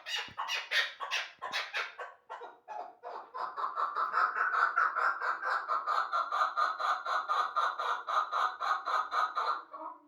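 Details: Hybrid chukar partridge calling indoors: a handful of harsh, separated notes build into a long, fast series of rhythmic, rasping chuk notes repeated steadily about twice a second.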